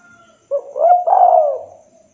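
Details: Spotted dove (tekukur), a local bird in full voice, calling to lure a rival; a single soft husky coo swelling into a long, steady, hollow note that fades.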